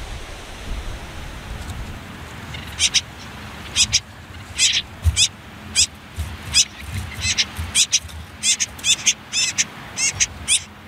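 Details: Common whitethroat nestlings on their last day in a nest hidden among reeds and nettles near a river: short hissy high bursts, sparse at first, then coming in quick clusters through the second half, over a low background rumble.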